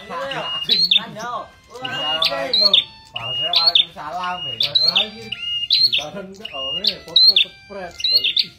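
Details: A captive red-headed prinia, singing actively after three months of care, gives sharp, high chirps about once a second over a person talking in the foreground.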